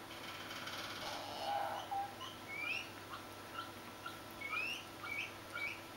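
A Swinhoe's pheasant chick gives thin, high, upward-slurred peeps in loose, irregular bursts, with a couple of lower whistles and a steady electrical hum behind.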